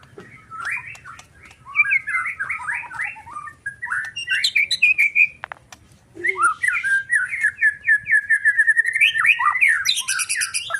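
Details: Agitated white-rumped shama pouring out rapid, varied whistled phrases and quick trills, a brief pause midway, then a long run of repeated slurred notes growing louder toward the end.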